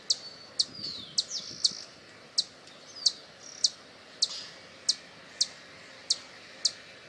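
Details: Hummingbird sounds for attracting hummingbirds: sharp, very high clicking chips repeated about every half second, with a few thin descending squeaks between them.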